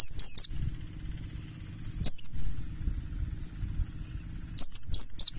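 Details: Mountain white-eye (Pleci Buxtoni, wild 'ngalas' type), a lure recording meant to set white-eyes singing: thin, high notes each sliding steeply downward, first a quick trio, a lone note, then another rapid cluster, over a steady high whine and low rumble.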